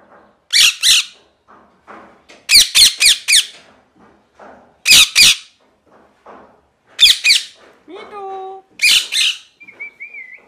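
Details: Parrot giving loud, harsh screeching squawks in clusters of two to four, separated by short pauses, with a few thin whistled tones near the end and a quiet indoor background.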